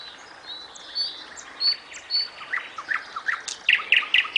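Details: Nightingale singing: high whistled notes and short sweeping phrases, building into loud, rapidly repeated sharp chirps near the end, over a quiet background.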